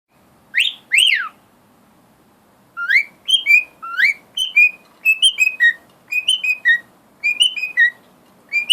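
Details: A pet cockatiel enjoying fresh air gives a two-part wolf whistle, then whistles a bright, repeated tune, the Laurel and Hardy theme.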